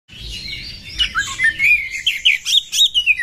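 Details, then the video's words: Female Oriental magpie-robin (kacer) fighting: a rapid, busy run of high chirps and short whistled slurs, accelerating into sharp repeated notes toward the end, with a faint low hum beneath. "KACER BETINA TARUNG"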